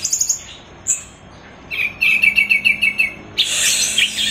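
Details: Teler-style song of an orange-headed thrush for training cage birds: a quick run of repeated bright chirping notes, then a dense, rich, high warble.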